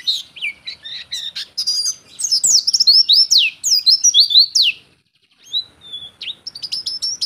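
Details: Oriental white-eye singing as a tutor or lure bird: a fast, high, twittering warble of tumbling slurred notes, with a brief pause before the chatter resumes.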